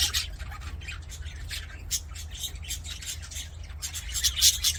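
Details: A flock of budgerigars in an aviary chatters with harsh squawks and clipped chirps repeated in quick succession, growing louder in the last second, over a low hum.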